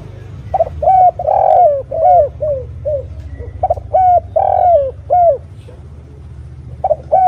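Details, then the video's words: Spotted dove lure recording for attracting other doves. Rapid phrases of mellow coos, some long and swelling, over a constant low electrical hum, with a short pause before the final coos. "suara PANCINGAN TEKUKUR GACOR paling banyak dicari suaranya jernih mudah ditirukan TEKUKUR manapun"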